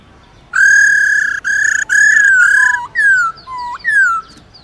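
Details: Black-throated laughingthrush in wild-style song used to stimulate captive birds: long steady loud whistles with strong overtones, broken by short gaps, then a run of quick falling and rising whistled notes.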